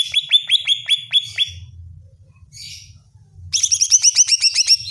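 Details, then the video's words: Greater green leafbird (cucak ijo) song meant to provoke another bird into emotion: evenly paced descending whistled notes, a harsh rasp, then a quicker, higher run of bright ringing whistles. "Pancingan suara cucak ijo bikin cucak ijo mu ngotot dan emosi"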